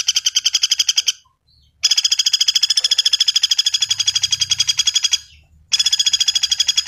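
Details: A common flameback trills in quick rattling runs: a short burst, a longer three-second series, then another burst after a brief gap.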